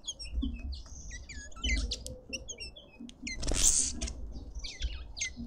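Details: Red-winged starlings feeding in a Pretoria suburban garden, South Africa, make clusters of sharp chirps and thin whistles, broken by a loud rustle of noise near the middle, with low background hum.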